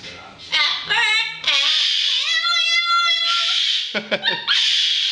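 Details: A yellow-faced Amazon parrot, trying to annoy a cockatoo, sings in a human-like voice: wavering, nasal notes, then a long drawn-out rising tone and a few clipped chattering bursts, over a steady hiss.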